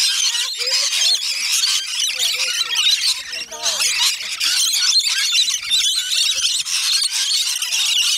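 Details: Rainbow lorikeets in a feeding frenzy on the north-east side of Magnetic Island, off Townsville, Queensland, keep up a dense, scratchy screeching, with human speech audible midway through.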